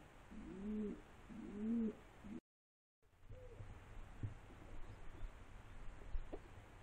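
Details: A pigeon gives two rounded, rolling coos, each rising then falling and lasting under a second. A brief gap follows, then only faint low scattered sounds.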